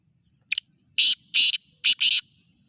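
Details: Black francolin, known locally as kala teetar, calling: one short harsh burst followed by three longer raspy, grating notes in quick succession, bright and high, against a quiet background.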